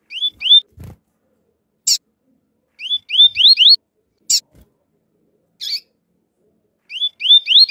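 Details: Male double-collared seedeater in tui-tui flautado song style answering a calling female: groups of two to four clear rising whistled slurs repeat every few seconds, separated by sharp high clicking chips.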